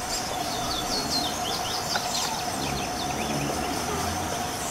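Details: Black-and-white white-bellied seedeater, free in the wild: rapid series of thin, high chirps and short down-slurred notes repeated throughout, over steady insect-like buzzing and low rumbling background noise.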